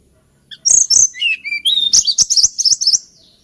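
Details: A hill blue flycatcher sings a melodious, lilting phrase: sharp high clicks, then thin falling whistles, then a quick series of bright, choppy high notes repeated several times a second.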